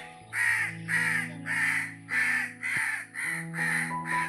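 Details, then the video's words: A crow up in a tree gives harsh, rasping caws, about eight in four seconds, with steady music humming underneath. "সো দেখতে পাচ্ছেন কাক গাছের উপর কাকা করতেছে।"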